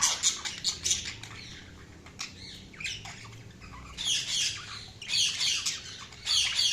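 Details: Budgies give rapid, harsh chirps and squawky chatter in uneven bursts, loudest at the start and again toward the end.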